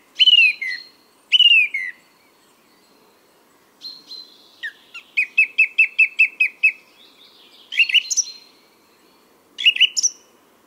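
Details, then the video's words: Male song thrush singing in spring at a Moscow forest park on 23 April 2022, with a chaffinch in the background: a loud descending whistled phrase given twice, then a rapid string of repeated clipped notes and further short ringing phrases. "Песня ♂ Певчего Дрозда"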